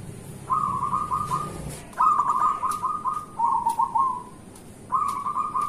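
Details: Zebra dove of local stock singing actively, used as a morning lure for lazy zebra doves: four throbbing, trilled coo phrases, one dropping slightly lower, after a low rumble at the start.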